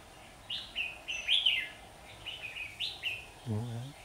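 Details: Red-whiskered bulbul in a fight, trapped 27 September 2019, Vietnam; duelling song of short, clear whistled notes in a quick run, followed by a low nasal sound near the end, possibly a voice.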